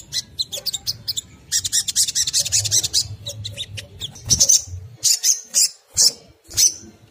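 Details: Crimson sunbird giving ngriwik kemrecek style song, played to provoke other sunbirds to sing: a fast high chattering burst, then separate sharp high chips spaced roughly half a second apart, with faint low hum.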